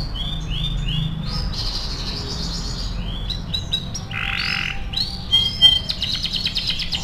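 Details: AF canary song used as a training tutor recording: varied phrases of short whistled slurs and sweeping notes, a harsh buzzy block midway, then rapid high trills, over a steady low hum.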